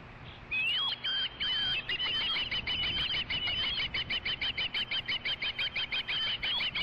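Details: Osprey at a ranch nest on a late-summer evening, 22 August 2013, around a fish delivery after one bird drives another away; a few slurred whistles break into a fast, excited run of sharp repeated chirps, about three per second.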